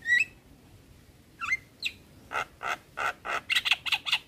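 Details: Black-winged starling singing in a tutor recording that also features other starlings: a few short high whistled notes, a slurred whistle, then a series of harsh, grating buzzy bursts repeated about every quarter second, getting denser toward the end.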